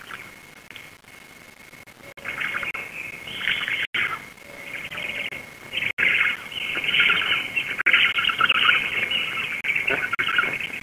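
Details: Live-camera black stork nest, Łódź, Poland, evening of 16 June 2021, as the female brings food to her chicks. Quiet start, then scratchy, wheezy hissing builds into rapid, uneven bursts over a constant thin tone.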